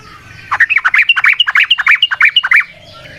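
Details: Sooty-headed bulbul (trucukan) in a long, rapid 'ropel panjang' song, used as a lure to get other trucukan singing: a dense two-second burst of bubbly, chattering notes, fast and slightly uneven, over a faint low background hum.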